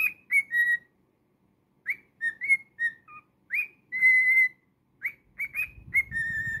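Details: Singing pet cockatiel giving clear whistled phrases of rising slurs and held level notes with brief pauses between them, and a soft rustle near the end.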